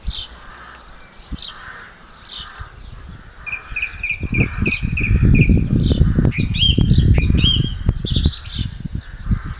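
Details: April 2012 song thrush at Campbeltown: one clear whistled note repeated about five times in a row among varied phrases, while heavy low rumbling noise covers the middle of the recording.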